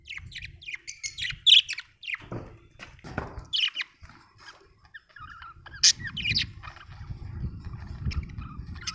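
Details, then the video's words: Budgie calls: scattered short scratchy chirps and squeaks at an irregular pace, some louder than others, over a low background rumble. "budgie chirping sound"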